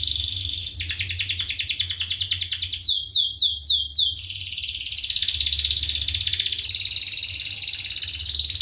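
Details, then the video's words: Tight-rolling 'cuit cuit' canary song for training young birds. Dense rapid trills run almost without break, with a stretch of quick descending chirped notes in the middle before the rolling resumes. "Kenari Gacor Tajam Cuit cuit NgeroL RAPAT paling dicari untuk Pancingan kenari paud belajar bunyi"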